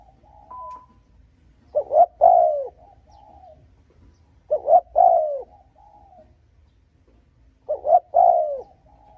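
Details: Repeated cooing of a spotted dove to provoke and lure rival males: three phrases roughly every three seconds, each two quick hoots and a long sliding coo, with a soft extra note after each and a brief higher tone early on.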